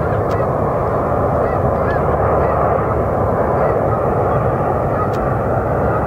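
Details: Large flock of snow geese at Iona Beach near Richmond, British Columbia, Canada, on a very grey, wet 31 January 2019; a dense, unbroken roar of overlapping honking calls fills the recording.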